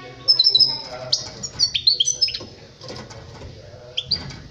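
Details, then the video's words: Song of the European goldfinch for teaching juveniles to sing: tinkling twitters and quick slurred whistles in the first half, then a quieter stretch and a brief final twitter, over low hum. "Chant chardonneret pour les jeuns لتعليم صغار طائر الحسون"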